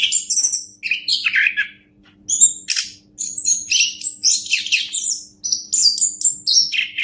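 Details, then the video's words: An orange-headed thrush pours out a dense, mostly high-pitched song of chirps, whistles and buzzy notes, recorded as master material for training other birds, with a brief pause near the start. "Masteran Anis Kembang"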